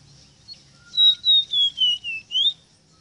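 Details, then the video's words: Rosita song phrase: about six clear whistled notes in quick succession, each sliding gently downward, the last one rising, over a soft low background hum. "EXTRAORDINARIO CANTO DE ESTA AVE ROSITA"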